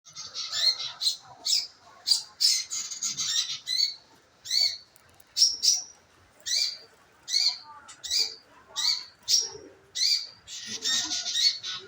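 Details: Scarlet minivet lure recording used to get birds to sing: bright, high chirped notes in short bursts, repeated roughly every half second to second over twelve seconds, with faint lower background noise.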